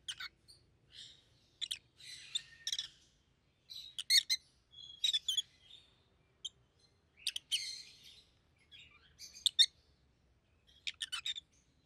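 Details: A pair of pet rosy-faced lovebirds, yellow and green with red heads, utter irregular harsh chirps and squawks at moderate volume, with a faint low hum underneath.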